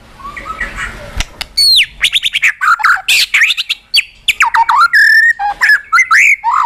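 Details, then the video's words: White-rumped shama, a very tame captive bird with a lively, varied song: after a quiet start, loud rapid phrases of whistles, sweeping slurs, harsh squawky notes and clicks follow one another, strong and clipped. "Burung murai gila || Suaranya cocok sekali untuk Pikatan"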